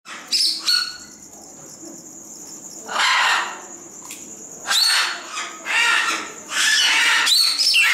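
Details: A superb starling at Děčín Zoo gives a few thin whistled notes, then four bursts of harsh, scratchy chatter about a second apart.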